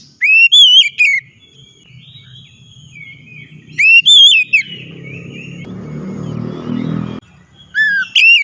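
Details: Oriental magpie-robin, used as a loud lure to get a reluctant bird singing: bursts of loud, clear whistled phrases rising and dipping around mid pitch, separated by quiet gaps with a low rumble of passing traffic.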